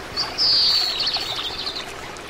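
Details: A drawn, slightly falling high buzz from an Oriental greenfinch, a widespread Korean resident, followed by a faint broken trill, with gentle running-water hiss behind.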